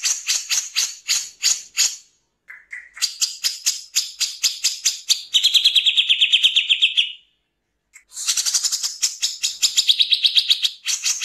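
Grey-cheeked bulbul in harsh, rattling bursts: rapid scratchy notes running about three a second, then long buzzy rasping phrases, with a brief pause between bouts.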